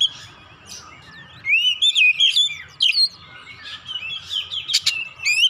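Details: Oriental magpie-robin (kacer) singing emotionally and persistently, unloading its phrase repertoire as a singing lure; a quiet opening gives way to loud rising whistles and clicks, then varied softer notes and a sharp final phrase.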